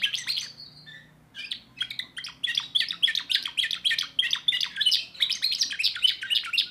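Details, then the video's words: Timbrado canary, a young bird, sings continuously: quick repeated chirps and rolling trills, dense and bright, with short gaps early then an unbroken fast stream of notes; faint low hum in the background. "le meilleur chant de canari I chant canari timbrado un jeune de2024"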